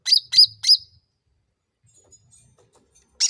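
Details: Sooty-headed bulbul (cucak ranting) lure song for provoking a fast response: three loud, sharp, high chirps in quick succession, then near silence before another note starts at the very end.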